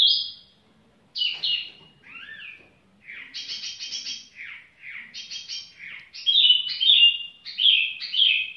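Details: Unhurried singing from a tiểu mi bird: a mix of high whistles, downslurred notes and short buzzy phrases, building toward the end into strong, clear repeated rising whistles.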